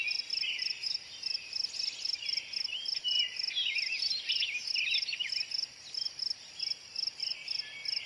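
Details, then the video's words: American robin pouring out busy, overlapping warbled phrases, loudest midway, while a high insect chirps in a regular rapid beat underneath. "American robin bird call / song / sounds"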